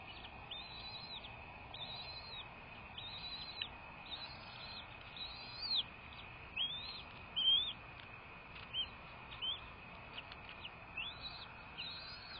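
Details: American bald eagle vocalizing at its nest on a February 2, 2024 morning live cam, 07:19; a long series of high, chittering, arched whistled notes, roughly one every second, some louder and sharper, over steady hiss.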